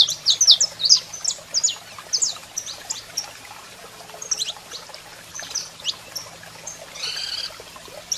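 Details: Saffron finch, male singing and female calling: quick high chirps for the first three seconds, then sparser notes and a brief rough rasping burst near the end.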